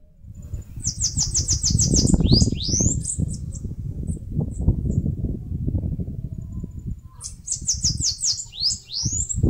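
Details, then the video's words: Bananaquit, the caga-sebo, singing while making its nest in a mandacaru cactus, Brazilian Northeast: fast chain of high buzzy notes followed by two or three rising slurred whistles, given twice, with low rumbling throughout. "CANTO do CAGA-SEBO (SIBITE, CHUPA CAJU..)"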